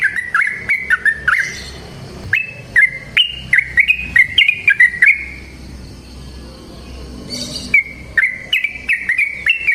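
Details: Energetic yellow-vented bulbul song meant as a training lure for other birds: clusters of liquid, warbling notes that slide up and down, a quiet gap of about two seconds, then another lively run.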